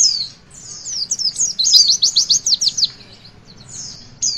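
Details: Javan white-eye singing, meant to encourage young birds to sing: thin high twitter followed by a quick rattle of repeated descending notes, then a pause and a brief final chirp.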